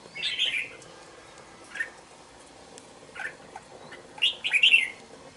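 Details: Young caged red-whiskered bulbul, two months old, kept in a bổi cage, utters a warbled opening phrase and a few scattered single chirps, ending with a bright, rapid flourish of notes.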